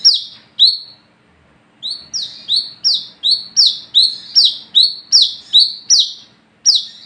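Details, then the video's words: At night, an olive-backed sunbird, called wiceh, sings a 'gacor ngalas ngeplong' lure song to attract its own kind: two opening notes, a pause, then a fast regular string of high, thin, descending buzzy notes. "SUARA BURUNG WICEH (KOLIBRI KELAPA ) GACOR NGALAS NGEPLONG / PANCINGAN KOLAP"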